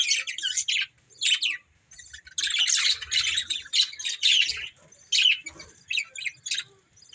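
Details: A pair of breeding budgies alternating short bursts of scratchy chirps with longer stretches of loud warbled chatter, separated by brief silences.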